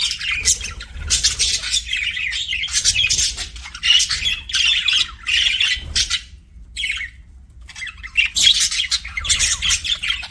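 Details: Pet budgies warble in bursts of scratchy, squeaky chatter separated by short quiet gaps, resuming with brisk chirping phrases.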